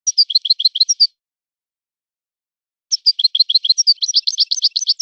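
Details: European goldfinch in a named local song style. A lively one-second run of bright, slurred chirps, a pause, then a longer twittering phrase ending in rapid ringing trills, on a clean, quiet background.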